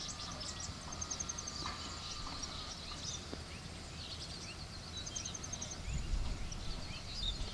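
Red avadavats give thin, high chirps and twittering notes in scattered bursts throughout, over a steady low rumble of background noise.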